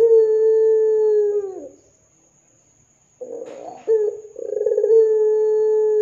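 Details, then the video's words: Ringneck dove calling in Indonesia, a recording meant as a lure to set other doves calling: long, steady, low hollow coos, two drawn-out notes separated by a silent gap, then a rough rolling passage before the coo resumes. "Pancingan Suara Burung Puter Gacor Dor 100% Cocok Bikin Puter Lain IKUTAN BUNYI"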